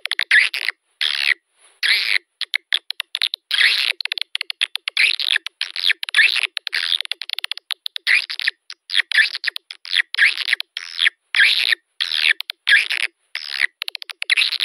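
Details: Swiftlet calls used as a lure for swiftlet houses: a long sequence of buzzy chattering bursts mixed with quick sharp clicks, repeating steadily without pause and with no other sounds.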